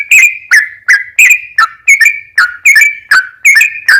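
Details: Sooty-headed bulbul song for luring other birds: distinct whistled notes with a sharp start and short downward slide, repeated at an even pace about every third of a second.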